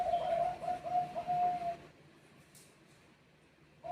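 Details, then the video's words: A Bangkok-type zebra dove answering other birds. Under two seconds of rolling, slightly trilled coos are followed by near silence and a faint restart at the end. "Saling saut Burung Perkutut Bangkok"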